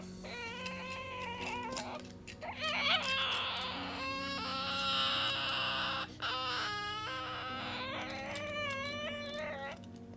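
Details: A pet Ducorps's Cockatoo, torn between playing with toys and seeking its owner's attention, gives whiny, wavering calls, some bending up and down in pitch, with a harsh raspy screech in the middle, over a faint low hum.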